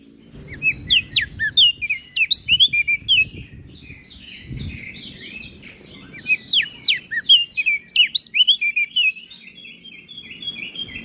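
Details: Crested white-eye from Flores, an actively singing bird with a filled-in song style, used as a master recording to train other birds: rapid bursts of high, varied chirps and sweeping whistled notes in two long phrases separated by a short pause.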